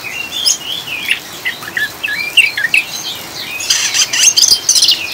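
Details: Ngriwik chattering song of an Oriental magpie-robin used as a lure for caged birds: a string of wavering whistles and chirps, ending in a harsher burst, with constant rain noise.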